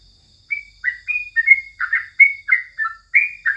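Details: Crucukan, the yellow-vented bulbul, singing at morning: a short burst of about ten bright chirped notes, each a brief slur, closely spaced over three seconds. Steady high-pitched whine in the background.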